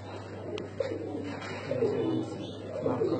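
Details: Four pigeons cooing softly, low throaty murmurs repeating about once a second.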